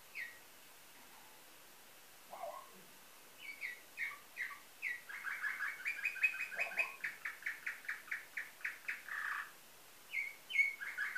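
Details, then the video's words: Domestic canary with nightingale-type song, bred in Varna, Bulgaria, 2013: after a quiet opening, scattered high chirps give way to a long run of rapid, evenly repeated bright notes, ending with a few separate whistles. "Bülbül ötümlü kanarya , canary - Nightingale , канар Славей"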